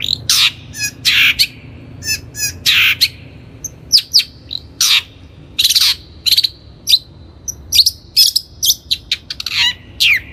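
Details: Long-tailed shrike (cendet) lure song for training untrained birds: lively, varied run of harsh scratchy notes mixed with thin whistles and quick chirps, delivered almost continuously with brief gaps and no other sounds.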